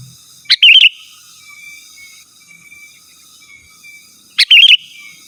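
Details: Sooty-headed bulbul calling out to a rival, meant to lure wild birds and make kept birds answer; two brief gurgling, wavering phrases roughly four seconds apart, separated by quiet with a faint high steady tone.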